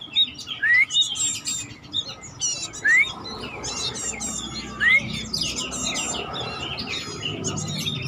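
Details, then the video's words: Home-kept bar-winged prinia alternating clear upslurred whistles, spaced about two seconds apart, with scratchy high chattering bursts; low background hum and noise throughout. "Burung ciblek batik bahan gacor rumahan"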